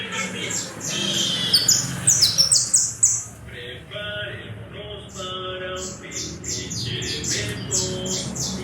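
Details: Saffron finch, a Colombian creole bird of the coarse brown type, singing loud and clear with quick high descending notes, a brief pause, softer lower tones, then more repeated high notes over background hum.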